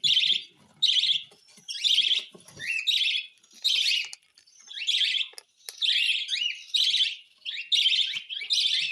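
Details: Hand-fed cockatiel giving rough, buzzy bursts about once a second, some ending in a short rising whine, with faint soft thumps underneath.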